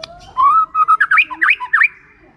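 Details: White-rumped shama lure song to get reluctant shamas singing: a slow rising whistle, then a quick string of bright, looping whistled notes with sharp upward flicks.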